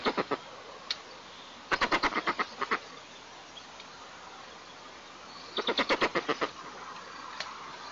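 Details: White-tailed eagles at a nest in southeastern Tatarstan, filmed by a nest camera on 5 April 2024 around the first food: two bursts of rapid, sharp, yelping notes, each about eight calls long, over steady background hiss.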